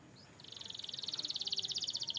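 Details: Canary training song: one even, high buzzy trill of rapidly pulsing notes, about a dozen per second, that swells in loudness over two seconds.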